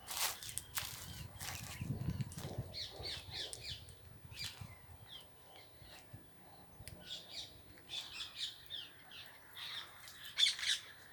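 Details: Indian green ringneck parrots, rose-ringed parakeets kept in a house, giving scattered sharp high chirps and short harsh screeches in irregular bursts, denser toward the end, over a low background rumble that swells near the start.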